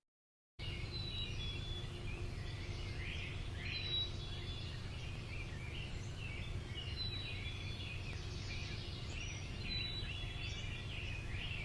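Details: In a spring-like recording, a black-capped chickadee repeats its simple, pure two-note whistled song several times, among chirps of many other birds and a steady low background rumble.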